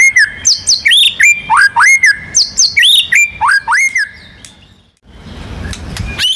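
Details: White-rumped shama, a national contest champion in full song used to provoke other birds into singing, with rolling and shooting phrases: rapid loud whistled notes, rising and falling slurs repeated about three per second, then fading to quiet.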